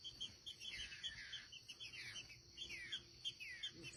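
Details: A wild pair of green-winged saltators in nature, singing quietly from a distance: clear whistled phrases that slide downward, repeated in short series, with a steady high hiss in the background.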